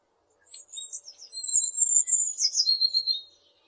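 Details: Blue tit song that begins with soft, scattered high notes, then a thin, piercing whistle running into a quick, rapidly repeated trill.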